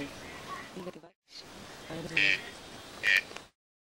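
A green-billed toucan gives two short, harsh, frog-like croaks about a second apart over a murmur of faint background noise.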